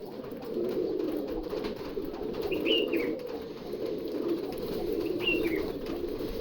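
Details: Kept pigeons, said to be ready to breed, cooing together. A steady low murmuring coo runs throughout, and two short higher chirps stand out near the middle and end.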